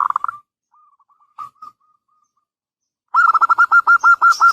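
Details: Local Zebra Dove used as a lure to draw a reply. Faint short coos come first, then a loud phrase of about ten rapid, evenly repeated cooing notes near the end.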